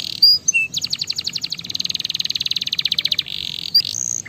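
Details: Singing canary meant to stimulate other canaries: a few high whistled notes, then a long, rapid, even trill of about twenty rolling pulses, ending in a dense buzzy roll and a high clear whistle.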